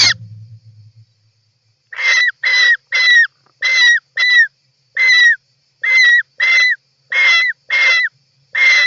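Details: European roller on camera inside its nest on 18 July 2024, giving harsh, rasping calls, about a dozen in seven seconds at a steady pace; a brief low hum opens the recording.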